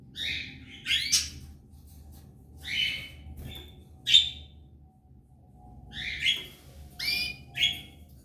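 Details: Belgian canary pair with three chicks in the nest; short, harsh, buzzy high chirps come in bursts of two or three, separated by pauses of a second or more, over a low indoor hum.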